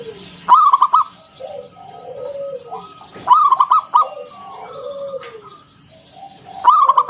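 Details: Lively local zebra dove of wild origin singing in ngalun style with a round 'kung' note, played to prompt other doves to sing. Loud rolling, stuttering coo phrases about three seconds apart, with gentle sliding coos between.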